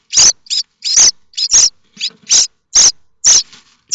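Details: Common starling nestlings at Théding, France, on 7 May 2024, begging eagerly for parental feeding: a crowded run of loud, overlapping, grating rasps, several chicks calling close together.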